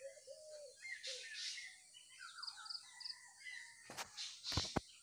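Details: Morning bird chirps in nature: scattered thin high twitters and a few lower whistled notes, interrupted near the end by sharp knocking clicks.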